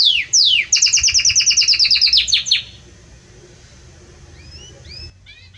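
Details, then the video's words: Strong, warm Belgian canary song: two down-slurred notes, a quick even trill of many high pulses for about two seconds, quiet, then a few soft rising whistles. "Canto forte e muito quente deste Espetacular Canário Belga | Canary Singing"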